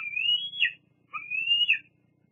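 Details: Two long, thin, rising whistled squeals from a young bald eagle squeeing at a parent on the Fraser Point nest, 8 August 2022, each ending in a short falling note.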